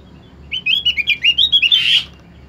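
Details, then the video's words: Caged opior, kept to stir other opior birds into song: a quick run of about ten bright chirped notes, then a short harsh buzzy burst, clean and close with a quiet background. "PANCINGAN BUNYI UTK BURUNG OPYOR"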